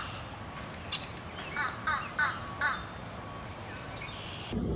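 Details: Begging Fish Crow chick at the Adamson Estate in south Mississauga, Ontario, July 2018, where parents fed two chicks at the first successful Fish Crow nest in Canada; a run of five short, nasal, harmonic calls roughly every third of a second.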